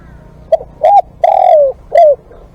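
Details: One full spotted dove phrase recorded for live decoy use: a quick soft note, a rounded hoot, a long drawn coo sinking in pitch, and a short final coo.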